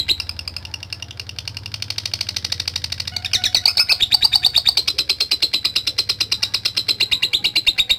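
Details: Contest lovebird in persistent chattering song meant to draw rivals: a continuous stream of rapid, scratchy high pulses, growing louder and more sharply accented after the midpoint, over a soft low hum.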